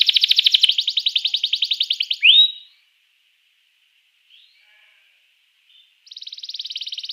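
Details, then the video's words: Canary song meant to spur rival canaries to sing: a rapid buzzy trill, then a rising slurred whistle, a pause with faint soft notes, and another quick trill starting near the end. "Ga ada lawan suara kenari ini 99% jitu sekali membuat kenari lawan gacor"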